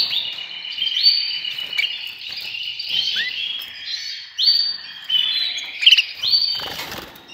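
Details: Canaries singing: rapid high trills and warbled, rolling phrases in short bursts, with quick repeated notes and brief gaps between phrases; faint wing flutter near the end.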